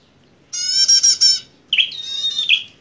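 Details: Bar-winged prinia described as an aggressive fighting bird, singing: a buzzy, harmonic rattling burst of about one second, a short pause, then a longer phrase of sliding whistled notes mixed with buzzy trills.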